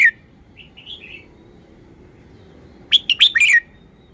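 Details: Red-whiskered bulbul singing to show its phrasing. A sharp note opens, then soft warbled notes follow, a quiet pause, and finally a rapid cluster of five or six loud, buzzy-edged whistles.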